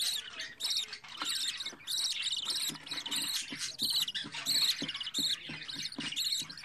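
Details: Home-bred budgerigar nestling on its fourteenth day: rapid, almost continuous scratchy chirps, densely packed and high-pitched, pulsing several times per second with barely any silence.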